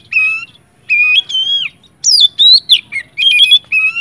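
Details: Oriental magpie-robin sound meant to get other magpie-robins singing; long level whistles, a drawn-out falling note, then louder mixed whistled and buzzy phrases.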